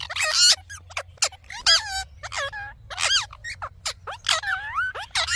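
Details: Rose-ringed parakeet calling: a series of harsh, rasping squawks and nasal screeches, some with bent, wavering pitch, irregularly spaced about one to two per second.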